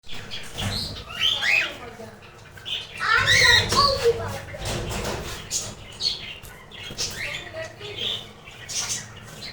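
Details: Breeding budgerigars chatter in quick, scratchy warbles mixed with sharp chirps and squeaks.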